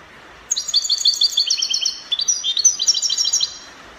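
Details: European goldfinch, Morocco, delivering copia-style song: three seconds of quick, high, jingling trilled phrases, slightly shifting pitch midway, over quiet background hiss.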